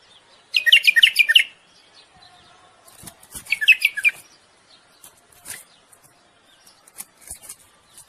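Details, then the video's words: Male common bulbul song for mating, meant to ready the female for breeding: two short, fluty warbled phrases about three seconds apart, followed by faint scattered clicks and chirps. "تغريد بلبل للتزاوج وتحفيز الأنثى على الجهوزية."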